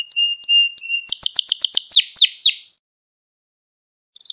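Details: Young-canary training song: a steady whistled tone under repeated chirps, then a run of sharp, rapidly repeated swept notes ending abruptly, followed by silence and the start of a new roll.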